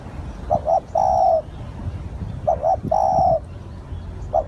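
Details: Lure spotted dove giving soft hooting calls: double short coo and a long held coo, twice about two seconds apart, with a thin high whistle of another bird in the background.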